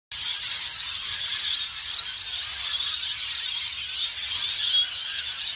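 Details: A flock of rainbow lorikeets in Australia screeches without pause, a dense wash of shrill, harsh, overlapping shrieks and chatter with no breaks.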